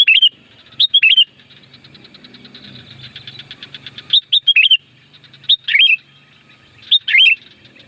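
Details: Loud sooty-headed bulbul song used to call in wild birds: five short bubbly whistled phrases of rising and falling notes, closely spaced. A rapid ticking chatter sounds faintly between phrases.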